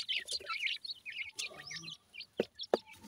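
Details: Young Indian Dakhni teetar (grey francolin) chicks being fed: bursts of high, thin twittering peeps broken by brief pauses, plus a couple of sharp pecking clicks near the end.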